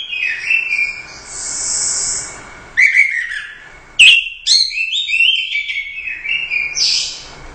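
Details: Orange-headed thrush, a competition bird that won first place at the Royal Cup, singing in a lively 'gacor' style: high whistled phrases, sharp buzzy rasps and sudden loud bursts separated by short pauses.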